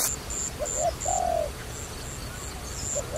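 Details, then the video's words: Dove used for trapping gives one long, smooth, slightly falling coo between short clipped coos, over a regular series of very high thin whistles from another bird. "Wonderful Trapping Dove"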